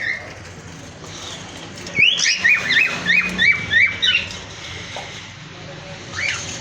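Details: Cockatiels in a breeding colony kept in an aviary: a run of about seven short, rising, squawky calls at a steady quick pace, followed by a quieter lone call near the end over faint background noise.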